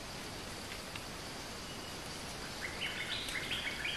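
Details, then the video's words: Bulbul (merbah) lure call: a quick run of bubbly, chattering mid-high notes near the end, over a steady hiss of insects and background noise. "Suara pikat merbah lekir gacor"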